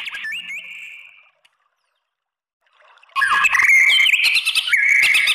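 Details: White-rumped shama song used to provoke other shamas into answering: a short whistled phrase with a stepped rise, then nearly two seconds of silence, then a loud burst of rich, tumbling whistles and chatter.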